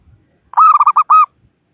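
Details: Local zebra dove calling rivals as a trapping lure: a single crisp phrase of five or six rolling, slightly arched coos, the last one drawn out, on a quiet background.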